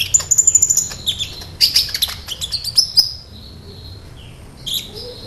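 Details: Sunbird song played as a lure to provoke other sunbirds; a rapid rattle of very high ticking notes, then scattered sharp chirps and thin high twitters fading into quiet.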